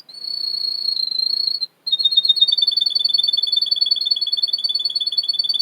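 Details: Male Russian canary in Miami, Florida, singing for training: a sustained, slightly wavering high whistle, a brief break, then a fast, rattling double-pitched trill of bright notes that runs to the end.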